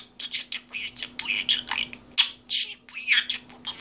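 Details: A parrot talks at an office desk, chattering in a rapid run of harsh, squawky, speech-like syllables, about a dozen bursts in four seconds, over a steady low electrical hum.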